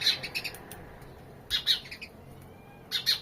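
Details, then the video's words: Bright, sharp sparrow chirps in groups of two or three, separated by about a second of near silence, with a faint thin whistle in one gap. "Relaxing bird chirping sound. (Happy sounds of sparrows)"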